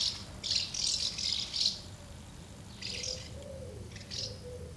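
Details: Many common house martins gather at two nests on 24 August 2012, feeding and fledging young with a brief quick scuffle, giving bursts of dry, buzzy chirrups in overlapping quick clusters over a low hum.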